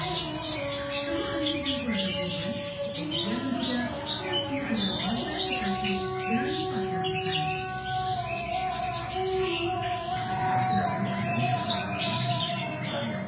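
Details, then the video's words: Kept Horsfield's bush lark (branjangan) singing profusely, with quick high chirps and twittered phrases tumbling over one another, over steady background television speech and music. "suara burung branjangan gacor"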